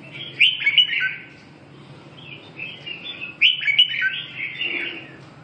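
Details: Red-whiskered bulbul singing: two loud bursts of rich, warbling whistled phrases about three seconds apart, with softer gurgling notes between, over a low steady hum.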